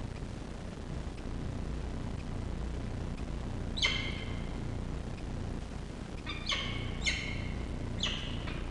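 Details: At a nest in Orange, Australia, on a university campus, a peregrine falcon chick is fed, 2 October 2023. After a quiet stretch, one harsh squealing call, then a run of four rasping harmonic squeals, with constant low rumbling noise beneath.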